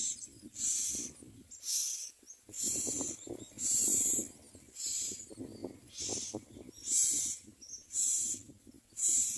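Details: Common myna chicks in the nest beg with harsh, hissing rasps about once a second, each burst lasting under a second, over low rustling and rumbling.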